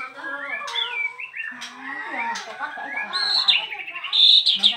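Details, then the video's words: Restless caged bird singing straight after uncovering: rising and falling slurred whistles mixed with chatter, ending in a high, rapid twittering trill. "BARU datang buka KERODONG langsung NYEROCOSS gak bisa diem"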